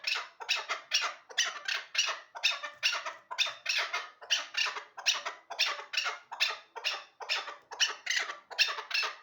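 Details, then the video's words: Hybrid hunting chukar partridge, called the best partridge for hunting; loud raspy, broadband bursts repeated steadily about twice a second, often paired, with a hoarse, excited quality throughout. "Кабки Гибриди шикори"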